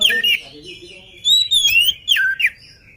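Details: Oriental magpie-robin singing strongly before feeding. Sweet whistled notes slide up and down, broken by short rapid chattering bursts, with a faint low murmur underneath.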